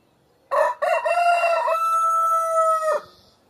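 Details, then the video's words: A rooster crows for a show: one loud crow of about two and a half seconds, opening with two short choppy notes, then a long steady held note that ends abruptly, with silence before and after. "CHANT DU COQ"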